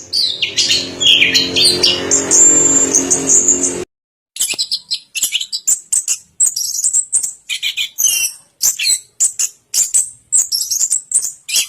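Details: Orange-headed thrush, long-duration song: first a dense tangle of high notes, then after a short gap a brisk series of crisp, high chirps and twitters, nearly two per second.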